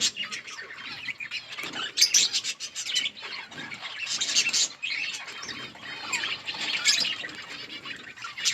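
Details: Budgies in a colony keep up a busy, overlapping chatter of high chirps and warbles, swelling and fading in waves, with some wing flutter among the calls.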